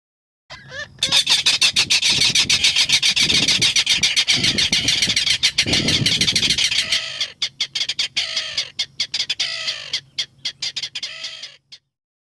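Mangrove Rail gives a loud, dry clattering series of harsh, rapid notes that later breaks into slower, spaced kek notes before stopping.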